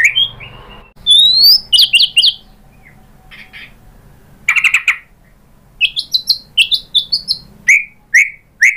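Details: White-rumped shama singing as a lure to get other birds to respond: high thin whistles and chattering bursts broken by pauses, then a run of clipped high chips and repeated short whistles.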